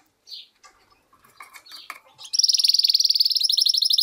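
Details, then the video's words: A few faint chirps and clicks, then a goldfinch-canary cross breaks into a loud, fast, even buzzing trill that carries on to the end. "mixto de jilguero - hybrid (European goldfinch vs canary) هجين الحسون"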